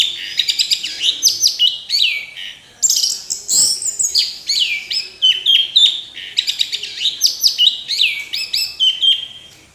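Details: Orange-headed thrush singing nonstop: a rich, fast stream of varied high whistles, trills and sliding notes, delivered in dense phrases with brief pauses, the bird singing to exhaustion.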